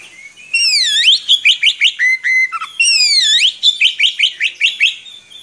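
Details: Oriental magpie-robin in lively long rolling song, good for teaching young birds: two loud phrases, each a down-and-up swooping whistle followed by about six quick, evenly spaced rising notes and a level whistle.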